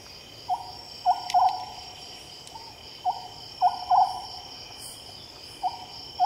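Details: Oriental scops owl recorded at night: short hollow notes in small groups, some paired in quick succession, repeated every couple of seconds over a steady high insect drone and background hiss.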